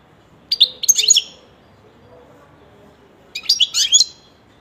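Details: Pet European goldfinch delivering two phrases of rapid, high, tinkling twitters mixed with buzzy notes, separated by a pause of about two seconds in a quiet setting.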